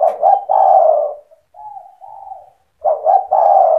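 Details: Spotted dove giving cetretan-style song meant to set off other doves: a loud phrase of two clipped notes and a long coo, a softer lower wavering coo, then the loud phrase begins again.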